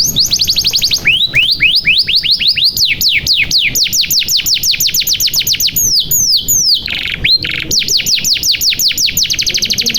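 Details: Clean, loud canary song meant to spur reluctant or young canaries into song: a high trill opening into a long rapid series of steep down-slurred whistles, with a brief buzzy break.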